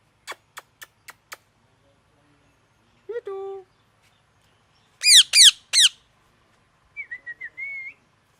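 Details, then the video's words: A parrot gives five quick clicks, a falling nasal note, three loud harsh squawks, then a short run of clear whistles; no other sounds. "Loud parrot sound"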